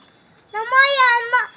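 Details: A duck, one of a group meeting for the first time while an excited male is present, gives a single drawn-out, nasal, harmonic call lasting almost a second, steady in pitch with a slight lift at the end; otherwise quiet.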